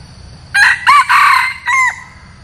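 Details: A red junglefowl decoy rooster gives a short, harsh crow in four quick bursts, rasping and strained with arching notes, over about one and a half seconds.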